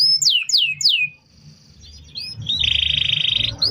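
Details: Canary singing for training other birds: three crisp falling whistles, a quieter pause with faint notes, then a loud sustained buzzy trill; low background rumble.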